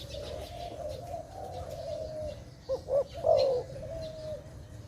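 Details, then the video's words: Dove cooing at a forest trap site: two brief low notes followed by a longer, slightly wavering coo, set against a continuous low hum. "Sound of dove"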